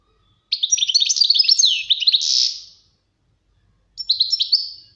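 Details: European goldfinch singing for a training recording: a rapid, liquid twitter of high tinkling notes lasting about two seconds, then a buzzy ending, and after a pause a shorter twittering burst.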